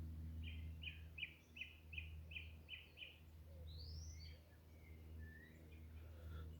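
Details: A song thrush near its usual nesting spot, heard on a walk, repeats one short bright note about eight times, then switches to varied whistled phrases, over a steady low rumble with a distant plane.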